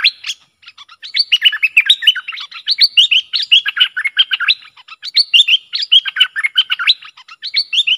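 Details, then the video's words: Fired-up Streak-eared Bulbul singing against wild rivals to lure them in: a nonstop, lively stream of sharp, bouncing chirps and up-and-down whistled notes lasting about eight seconds. "เสียงนกดอกแตงEp.120 จ้าวขุนศึก ของขึ้น!!? 2หลักนกป่าหายหมด Suara pikat merbah lekir"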